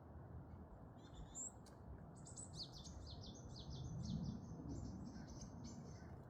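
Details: Varied tit in Korea: a rapid run of thin, high chirps and short down-slurred notes, several each second for a few seconds, over a steady low rumbling background.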